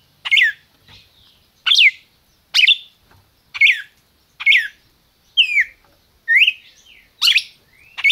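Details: Red-crested cardinal, captive in Brazil, in 'máquina' song: a rapid run of about ten sharp downslurred notes roughly one per second, some longer sliding whistled phrases among them.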